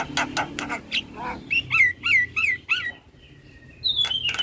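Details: Javan myna singing while head-bobbing, used to train other starlings: a few harsh clicks, then a run of four rising and falling whistled notes, a pause, and a high drawn-out whistle.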